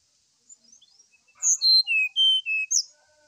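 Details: Brown-chested jungle flycatcher singing in the morning, used as a lure to provoke another bird into song: faint soft notes, then a clear phrase of loud whistled notes stepping down in pitch, ending on a high sharp note.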